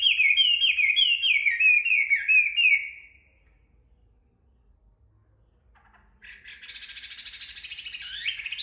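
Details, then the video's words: Chinese hwamei, just bathed and basking in sunlight, delivers a run of rapidly repeated falling whistles, goes quiet for about three seconds, then resumes with a dense, buzzy trilling warble. "Họa mi hót khi vừa tắm xong được phơi nắng"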